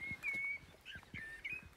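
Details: Common blackbird singing in the dawn chorus at first light near woodland by the Shropshire Union Canal, with others around: clear, fluty whistled phrases, a long steady note then shorter warbled ones, over soft low thumps.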